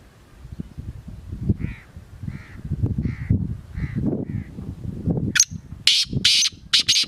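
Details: Black francolin giving its harsh call, a rising note then three loud grating bursts at the end, after a run of crow-like caws repeated roughly every half second over low thumping noise.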